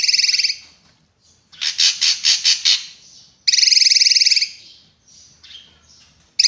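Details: Drongo giving a loud, shrill, buzzy song: long rasping bursts alternate with a quick run of about six rhythmic pulsed notes and faint squeaky twitters in between.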